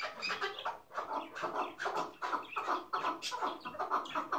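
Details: Hıngırmacı-style chukar partridge, a decoy bird used in tethered partridge hunting, gives a steady rhythmic series of harsh clucking bursts, roughly two to three per second, each note with a husky, grating quality.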